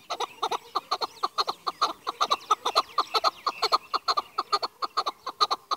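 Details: Rapid repeated clucking of a chukar partridge, Pakistan's national bird, with sharp chattering notes in quick uneven pairs and runs throughout.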